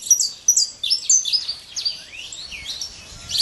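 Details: Saffron finch in nature with a looser phrase of high, slurred and sweeping notes, a few sharp chirps, and a rising glide in the middle.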